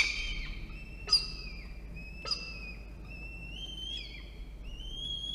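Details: Feeding time for a peregrine falcon chick in a nest box high on a water tower, Orange, NSW, Australia, 24 October 2021: long, level, high-pitched whining notes, some rising at the end, with two sharp snaps.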